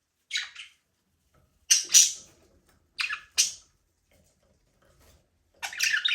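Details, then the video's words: Aviary budgerigars, Australian parrots playing and flying freely, utter short, sharp, scratchy chirps in pairs and clusters, each about a quarter second, spaced by a second or more of quiet. "Budgies parrot #chirping sound"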